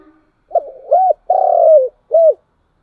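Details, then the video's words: Spotted dove calling in the morning: one full cooing phrase of short hooked coos, a long loud falling coo, then a final rising-falling coo. "tiếng cu gáy, gáy gọi buổi sáng"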